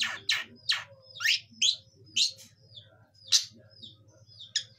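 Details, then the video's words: A young long-tailed shrike practises its song with loud, downslurred chirps and buzzy notes spaced about half a second apart. A faint low hum runs underneath. "Burung cendet muda belajar bunyi"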